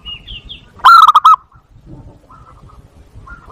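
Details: Zebra dove call used as a lure and to stimulate breeding: one short, loud burst of about five quick stuttering coos. Faint high chirps from other birds come before and after it.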